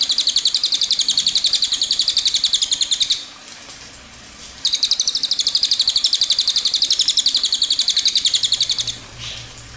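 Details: Cililin song recorded as a training master for songbirds, a long rolling phrase: rapid high trills repeated about four times a second for three seconds, a brief pause, then another long fast rolling trill.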